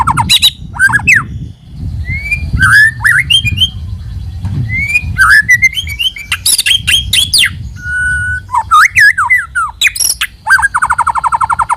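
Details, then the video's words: Lure song of a white-rumped shama: rich, varied phrases of rising and falling whistles, scratchy chatters and sharp buzzy notes, with a steady held whistle midway and a rapid trilled rattle near the end. "Pikat Suara Burung Murai Batu"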